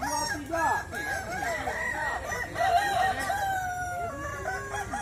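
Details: Several Kukuak Balenggek roosters crow together at a contest in West Sumatra, long stepped phrases that waver and slide down, one bird holding a lower note at the end, amid crowd noise.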